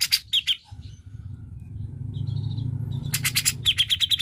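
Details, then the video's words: Grey-cheeked bulbul song meant to coax another bird into singing: a few sharp chips, a soft whistled phrase over a rising rumble, then a loud fast burst of repeated chattering notes. "Pancingan Cucak Jenggot Malas Bunyi"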